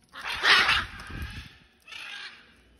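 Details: A wild macaw on a balcony during peanut feeding, in chick season when some carry food to their young, gives a loud, harsh, rasping squawk, then a softer screech a second later, over a faint low rumble.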